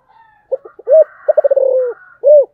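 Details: Spotted dove singing in the special 'giọng thổ' style: low cooing phrase of a few short clipped notes, one swelling coo, a fast stuttering run merging into a long drawn note, then a separate rounded final coo; clean background.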